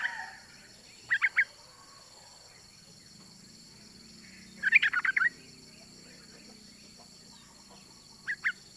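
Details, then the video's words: Yellow-vented bulbul, a female calling for a male: short clusters of two or three bright chirps, a denser chattering burst at mid-clip and a final brief chirp, with a low hum behind. "Trucuk Betina MEMANGGIL JANTAN ‼️Suara Trucukan BETINA ini Mampu Untuk Pancingan Trucuk Agar Bunyi"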